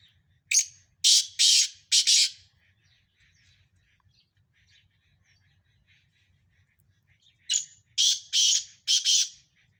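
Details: Five Sindhi black francolins in a calling contest. Two loud harsh bursts of rasping, buzzy notes, each of three to four grating syllables in quick succession, separated by about five seconds of near silence with a faint low hum.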